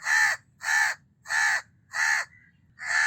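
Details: Loud, rasping caws of a house crow, five harsh notes roughly every 0.6 seconds with a brief thin note in one gap, over a low steady hum.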